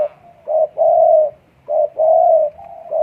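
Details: Spotted dove in breeding condition giving strong cooing calls: low, mellow coos in a rhythm of short and long notes, several phrases across three seconds, fairly even pace, no other clear sounds.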